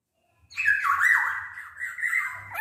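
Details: A single long, grating nasal squawk from a vigorous Black-naped oriole, held steady for about two seconds, given as a lure to make other orioles sing.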